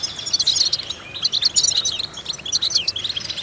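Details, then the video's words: Song of a European goldfinch used for vocal training, a clear run of sharp, sweet chips and short liquid trills delivered in quick bursts. "important vocal exercises necessary to stimulate goldfinches"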